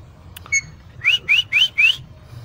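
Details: Alexandrine parakeet, a pet parrot out in a park, gives one short clear note, then four quick upslurred whistles in a steady run, each lasting about a quarter second. Faint low background rumble.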